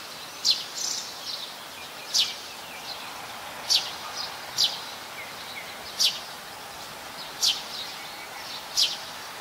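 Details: Chirping Plain-backed Sparrow (Passer flaveolus) at Ubon Ratchathani, Thailand, 17 January 2020, Nikon P1000 recording; thin, high notes spaced one to two seconds apart, softer against steady background noise.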